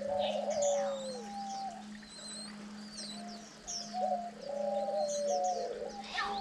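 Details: Diamond dove parents competing to feed their chicks on day nine; overlapping soft coos that dip downward, repeated through the passage, with thin high chirping from other birds and a steady electrical hum.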